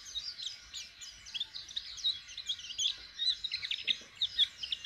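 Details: White-eye (pleci) learning to open its beak to sing: a high, fast twittering of short chirps and slurred notes runs without pause, with low background rumble.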